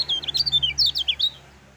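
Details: Brief burst of Lemon-bellied white-eye 'gacor' song, used as therapy to make other white-eyes sing: quick high twittering slurs tumbling together for about a second, then quiet.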